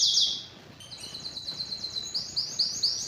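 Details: A canary opens with a loud, harsh high burst, drops briefly quieter, then delivers a quick trill of repeated notes followed by slower, swelling whistled syllables.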